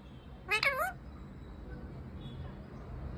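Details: Talking parrot perched in a tree, uttering one brief voice-like phrase with a bending, speech-like pitch contour, followed by quiet background noise.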